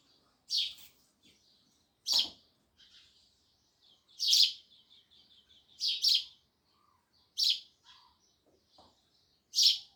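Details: Sparrows chirping loudly: short bright chirps, sometimes doubled, about every one to two seconds, with faint softer twitters between and a few low knocks underneath.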